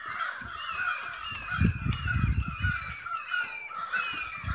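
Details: A stirred-up flock of crows gives a loud, tangled mass of hoarse caws, some notes sliding downward. Low rumbling noise runs under the calls through the middle section.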